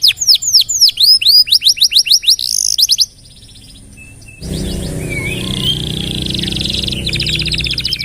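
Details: Canary in lively song meant for tutoring other cage birds: about three seconds of rapid sweeping whistled trills, then a quiet pause and a stretch dominated by broad background noise with faint high notes.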